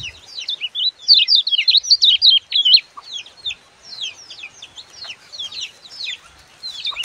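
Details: Lemon-bellied white-eye song meant for tutoring young birds: a busy, chattering run of rapid high twittering notes, loudest early on, then continuing softer and scattered for several seconds.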